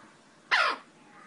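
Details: Eclectus parrot kept at home in Nawalapitiya, Sri Lanka, letting out one loud, raspy screech, sharp onset and a quick downward slur, about a quarter second long, close to the recorder in an otherwise quiet room.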